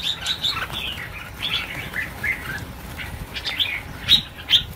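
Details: Scattered chirps and a few sharp, high notes come from red-whiskered bulbuls released as a group of 1000, amid wing flapping.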